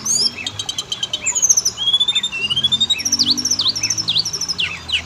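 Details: Oriental magpie-robin song used as a lure to make males and females sing: rich, varied whistled phrases, rising slurred notes and rapid high buzzy trills, with V-shaped sweeps repeated near the end.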